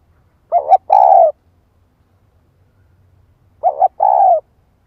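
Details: Female spotted dove used as a decoy bird, calling to provoke a male: two phrases roughly three seconds apart, each a short broken double coo leading into a long, throaty, slightly falling coo.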